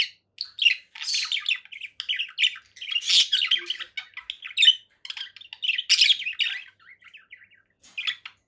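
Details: Conure parakeets give dense, continuous chattering: rapid, harsh chirps and squawks in short bursts of about half a second, with only brief gaps. Sounds come from inside a small room, with no other clear noises.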